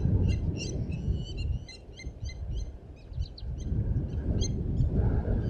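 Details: Blacksmith lapwings defending their nest at Djuma Private Game Reserve, giving rapid, sharp, metallic ringing notes that are repeated several times a second in uneven bursts over a strong low rumble of wind or background noise.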